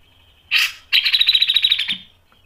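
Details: Grey-cheeked bulbul in lively song for training other birds, styles called mbeset, ngepik and nembak: a short rough burst, then a dense rattling trill of high, quickly repeated notes lasting about one second.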